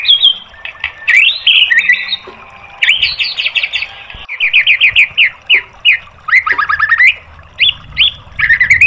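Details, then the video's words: White-rumped shama song for training caged birds: varied phrases of rapid rising whistles, a long series of quick repeated buzzy upslurs, and scattered sharp chirps, delivered loud and fast. "MASTERAN MURAI BATU biar EMOSI NYAUT jadi GACOR"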